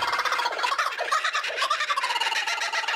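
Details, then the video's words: A zoo kookaburra, triggered by a visitor scanning a QR code, gives its loud, rapid, human-like laughing territorial call of rising and falling hoots and cackles, running without pause. "het geluid van de Kookaburra"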